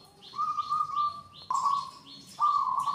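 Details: Local wild-type zebra dove (perkutut), called a 'guest-greeting' bird, said to coo like an alarm whenever visitors are about to arrive. Sustained, steady, mellow cooing notes come in three long phrases, each introduced by short higher clipped notes.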